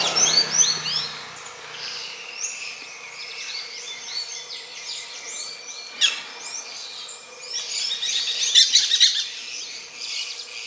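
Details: Gray-breasted parakeet (Pyrrhura griseipectus) during mating. Scattered short chirps and squeaky notes are heard, with a sharp grating burst near the end.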